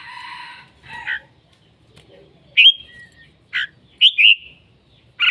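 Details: Red-whiskered bulbul calling and singing: after a steady buzzy tone at the start, short slurred whistles and a bouncy two-part phrase, separated by brief silences.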